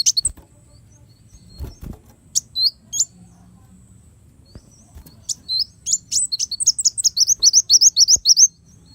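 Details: Kolibri wulung sunbird song, offered as a master recording for training songbirds: scattered high thin chirps, then a fast run of about fifteen sharp, slurred high notes repeated rapidly near the end. Faint low hum and a few clicks in the background.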